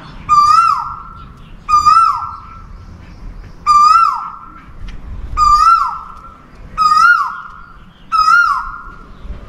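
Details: An Asian koel gives six loud, rising 'ko-el' mating calls to attract a mate, one about every one and a half seconds, over faint background hiss.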